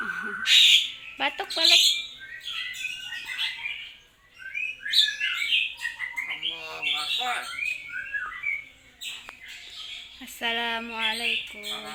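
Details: Common hill myna mimicking greetings, prayers and coughing; dense chatter of squawks, whistles and voice-like syllables, then a clear talking phrase with strong low tones near the end.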